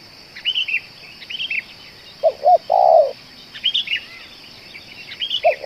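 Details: Spotted dove described as a lure bird that keeps calling for two hours, cooing twice short then one long vibrating note, with another phrase starting at the end. Higher chirping birds call around it throughout.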